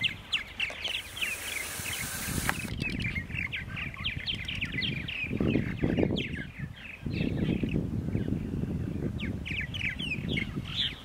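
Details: Several purple martins at Center Moriches, Long Island, New York, on a Saturday morning in April 2012: a busy stream of short chirps and chattering notes over heavy low rumbling noise, with a brief hissing burst early on.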